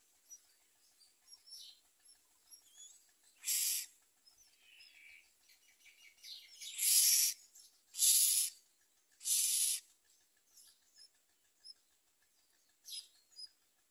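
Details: Common myna chicks at the nest with their mother, eating little and trying to bite her; four loud harsh, hissing rasping bursts across the middle, with faint thin chirps scattered between them.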